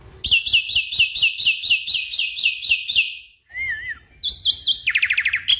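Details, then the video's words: Black-winged myna song used to coax a stressed, silent caged bird: a fast series of about ten harsh, repeated high notes, a brief pause with a wavering whistle, then rapid chattering and a quick descending trill. "Pancingan Jalak Putih Stres Malas Bunyi"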